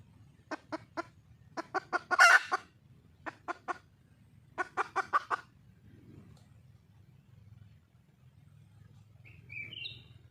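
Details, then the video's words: Red junglefowl hen in the wild, calling to attract a male. Short clipped clucks come in small clusters of three or four, one louder harsh note among them, then a brief faint whistle near the end. "le bruit d'une poule sauvage,เสียงไก่ป่าร้องหาถู่หาตัวผู้,ສຽງໄກ່ປ່າຮ້ອງຫາຄູ່ຮັກ, poj qaib qus see"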